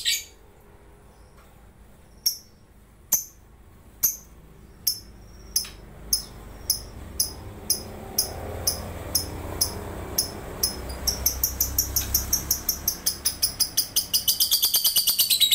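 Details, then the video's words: Competition lovebird from Sambas, West Kalimantan, Indonesia, singing in an online contest: high, clipped chirps that start sparse, then come faster and faster until they merge into a long, rapid, shrill trill at the end. "LOMBA LOVEBIRD ONLINE 15"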